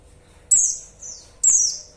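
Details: Female white-eye call aimed at a male: two loud, high, descending chirps close together, with a softer, shorter note between them.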